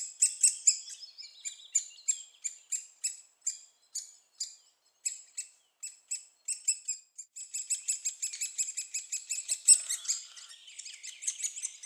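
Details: Young great spotted woodpeckers begging while being fed at Staverden in the Netherlands: a rapid series of sharp, high chirps that speeds up into continuous excited chattering toward the end.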